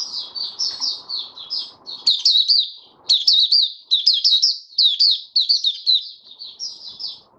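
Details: White-eye kept as a caged songbird, a male, singing steadily as he settles his form: a continuous run of high, sweet, warbling notes with sharp rising flicks, and soft background rustle in the first two seconds.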